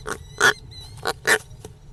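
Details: European roller giving harsh, grating calls: four rough broadband notes in under two seconds, two louder than the others, over a low steady background hum.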